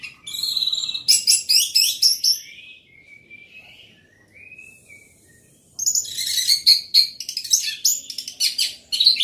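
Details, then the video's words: A loud orange-headed thrush song built from rapid cascades of high chirps and mimicked-sounding trills, a pair of lower pure whistles in the quieter middle, then another long, dense burst of chatter. "Anis merah gacor volume keras"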